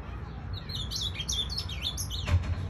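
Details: Ultramarine grosbeak kept as a pet, singing a pelado-style phrase: rapid chirped and slurred high notes rising and falling in a short, lively sequence, with a low rumbling hum beneath.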